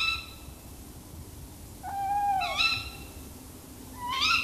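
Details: Tawny owl in a tree, in a mix of owl sounds: a drawn-out wavering note followed by two sharper, higher calls, all over a faint hiss.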